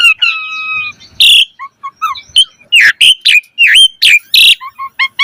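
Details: Asian pied starling, mompa-style varied song: a long level whistle opens, followed by loud harsh bursts alternating with short liquid notes and bright descending slurs.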